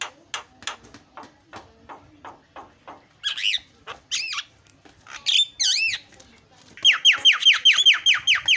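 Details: Javan myna sounds played as a lure so other mynas call back: dry ticking notes, then loud looping whistles, ending in a quick burst of ringing down-slurred notes.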